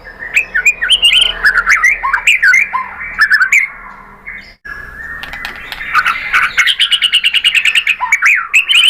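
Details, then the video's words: White-rumped shama song used as a lure: dense rapid sequences of twisting whistled and chattering notes, a short lull, then a fast, even series of sharp repeated notes. "KICAUAN MURAI BATU"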